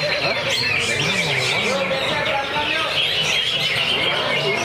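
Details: Greater green leafbird kept in a lovebird cage delivers ngentrok song packed with varied phrases and tight, quavering shots. High, busy twittering with a few clear whistled notes and rapid trills. Background voices are faint.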